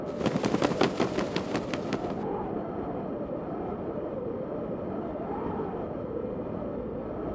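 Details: Rapid rhythmic clattering for about two seconds, then a steady droning rumble like a train or vehicle; no animal calls.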